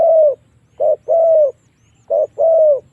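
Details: Lure call of a spotted dove, meant to draw wild doves into fighting: a long soft coo, then two short-then-long coo pairs, clear and close, over a faint low background hum.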